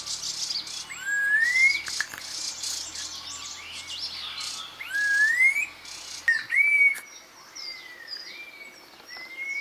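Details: Red-tailed laughingthrush repeating rising slurred whistles several times, some ending in a quick upward flick, over a loud, pulsing, high insect-like chorus that fades out midway.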